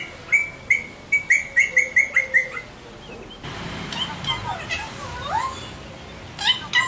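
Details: Parrot whistling during a training session: a quick run of about ten short, bright whistled chirps at an even pace, then quieter sliding whistles including a clear upswept note, ending with two more sharp chirps.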